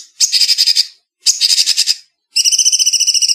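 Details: A bulbul, known locally as cucak cungkok, in an edited clean recording gives three quick bursts of rapid, tightly packed, high, bright chattering notes. Each burst is under a second long, separated by short pauses.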